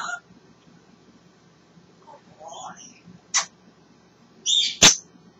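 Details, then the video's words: Pet African grey parrot talking away in good spirits: quiet scratchy squeaks, a sharp click, then a loud high squawk ending in a cracking snap, with long near-silent gaps. "the African Grey Parrot talking away having a great time"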